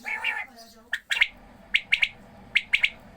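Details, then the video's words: A quail at watering time makes a harsh nasal note, then two crisp groups of three high, clicking chirps with even spacing between them. "Video of watering quail and sound of quails. بٹیرے کو پانی ڈالنے والی ویڈیو اور بٹیروں کی اواز"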